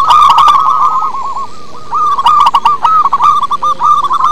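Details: Local wild-type zebra dove song, used as a lure to prompt other doves to sing: rapid hooked cooing notes near one pitch run in long trilling strings, with short sharp clicking bursts breaking in throughout.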